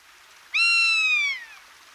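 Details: Rough-legged Buzzard (Buteo lagopus) at Hortobágy, 19 March 2022, gives one drawn-out, mewing cry, high and slightly falling over nearly a second, against a quiet background.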